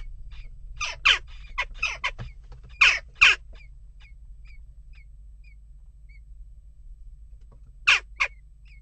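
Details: Restless western jackdaws at a nest box give paired harsh calls in several bursts, then a long quiet gap with faint thin notes before two more sharp calls near the end; low background hum.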